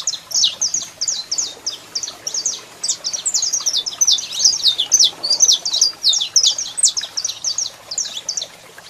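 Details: Saffron finch male singing with a female calling: a long run of rapid, high, sharp chirps and twittering notes, about two or three each second, loud and continuous for nine seconds.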